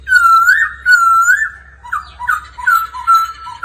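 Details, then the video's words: Laughingthrush singing during daily voice practice with a female making ro ro calls: loud, pure whistled phrases that swoop down and back up, followed by shorter dipping notes and brief gaps. "Khướu hót luyện giọng mỗi ngày Kèm mái ro ro"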